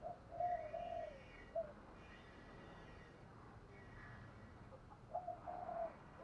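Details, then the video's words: Decoy spotted dove calling to lure and provoke rival males: soft, low cooing notes near the start and again toward the end, over a steady background hiss. "Tiếng chim cu gáy mồi gáy gọi bổi/ tiếng chim cu gáy thúc đấu giọng hay"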